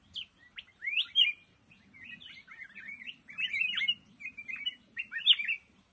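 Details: Black-crested bulbul singing in a thicket of lồ ô bamboo: bright, slurred whistled phrases rising and falling, delivered in quick bursts with short pauses throughout.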